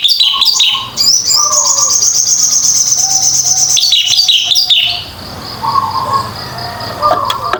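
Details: Orange-headed thrush in full song, used as a lure to draw other birds into singing; a fast, varied stream of high whistles and chirps with rapid trills, some lower warbled notes beneath and a brief quieter pause near the end.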